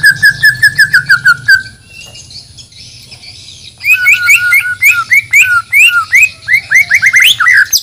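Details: Bornean white-rumped shama from Banjar, due to perform at a songbird contest: a fast series of bright repeated whistles, a short pause, then energetic looping slurred notes tumbling up and down, loud and rhythmic.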